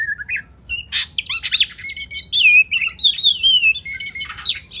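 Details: Song of an Oriental magpie-robin, a tutor recording for training contest birds: short sweet whistles open, then a harsh burst, rattling notes and long clear slurred whistles that fall in pitch.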